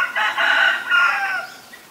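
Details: Black-collared starling recorded in Ubon Ratchathani, Thailand, on 17 November 2021: two loud, harsh, harmonic calls close together, each strained and slightly falling, fading into quiet.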